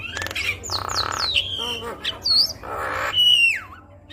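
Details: Javan myna singing actively, a lure recording to prompt other mynas: rising and falling whistles alternate with two broad grating rasps, ending in a long whistle that slides steeply downward.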